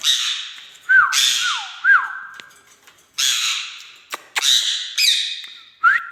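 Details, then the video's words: Indian ringneck parakeet kept as a pet lets out loud, harsh, noisy squawks mixed with swooping whistled loops and a few sharp clicks. "talking I|ndian |r|ing |neck |parrot"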